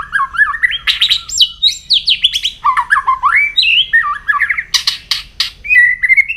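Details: White-rumped shama morning song in voice training: a loud, rich, fast-changing stream of fluty whistles, slurred rising and falling phrases and sharp clicks, with hardly any pause between notes.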